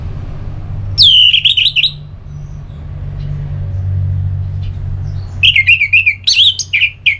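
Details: Orange-headed thrush in ngeplong singing style, aimed at stirring another bird to sing: a slurred descending whistle phrase, a long gap with steady low rumble, then a quick run of warbled, wavering notes.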